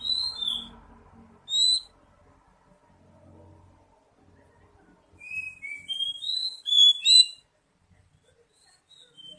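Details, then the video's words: Oriental magpie-robin (kacer) song played as a lure to prompt untrained birds: scattered sharp whistles at first, a quiet gap with low background rumble, then a short burst of rising and falling whistled notes. "Pancingan kacer bahan dan terapi bunyi | cepat bunyi respon"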